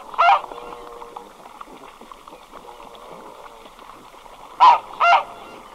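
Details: Red-breasted goose, a single bird recorded at medium close range: one sharp, squeaky honk, then a quick double honk near the end, over a faint tonal background hum.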